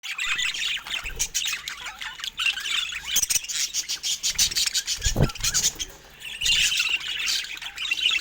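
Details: Rare budgerigars kept indoors under natural Scandinavian light; dense, continuous high twittering and warbling from several birds, with a few low thumps and knocks.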